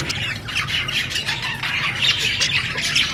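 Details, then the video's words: Budgie parrot squawking and chirping in rapid, scratchy high notes that run together into an unbroken warbling chatter. "Beautiful budgie parrot chirping sound"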